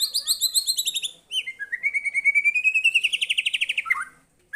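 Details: White-rumped shama singing toward a lure recording: a rapid high trill, then a long rising series of quick pulsed notes ending in a sharp drop.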